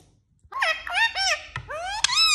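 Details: Talking Indian ringneck parakeet giving a short run of wavering, nasal, speech-like syllables, several dipping then rising in pitch, with a couple of sharp clicks between phrases.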